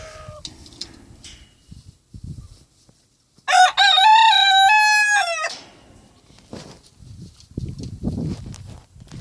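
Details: A pet rooster, let out for the first time and crowing all day, gives one loud, two-second crow that rises, holds steady, then drops off, with soft rustling and low background noise before and after.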